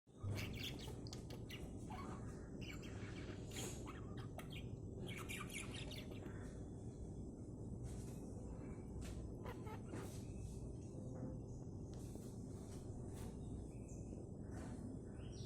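Budgerigars chatter in quick, bright chirps and squeaky tweets over a steady low hum.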